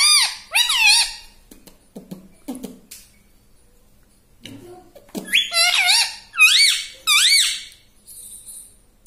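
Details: Talking parrot kept as a pet, imitating human speech indoors: bright, arching, harmonic syllables in quick pairs at the start, a quieter mumbled stretch, then a run of loud, looping, up-and-down squeaky words toward the end.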